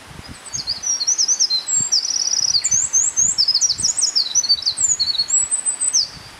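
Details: Eurasian wren singing a long, rapid, high-pitched song of tinkling trills and fast rattling runs, notes packed tightly for about five seconds, with faint low rustling beneath.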